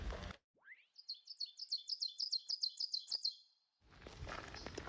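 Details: Northern cardinal singing in Ringwood State Park, New Jersey, in June 2025, a bird with many varied songs: a rising upslur, then about a dozen high slurred chirps at roughly five per second, brief rustling at start and end.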